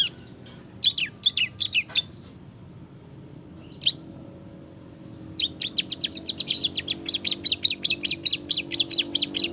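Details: Bar-winged prinia singing strongly in the ngebren style: a few scattered sharp chips and a long pause, then a building, rapid series of bright, high, downslurred notes growing louder, with a faint constant high tone.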